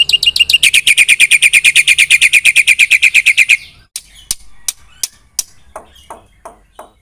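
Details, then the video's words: Black-winged myna in full 'gacor' voice with 'isian' phrases, aimed at making other birds reply: about three seconds of rapid, regular shrill chirping, then silence broken by scattered sharp clicks and taps. "Suara jalak putih GACOR full isian TERHEBAT M4NC1NG 3MOS1 semua burung nyaut bunyi"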